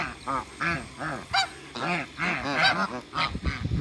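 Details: African geese meeting Muscovy ducks on a farm: a steady run of rounded, nasal honks, each about a quarter second, several overlapping, ending in rustling noise.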